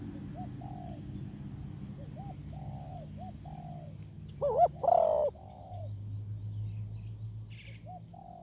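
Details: Spotted dove coos near a ground clearing where a decoy bird is used to lure a rival. Soft, short, arched coos repeat steadily, broken by two louder, harsher coo bursts midway. A low steady hum runs underneath.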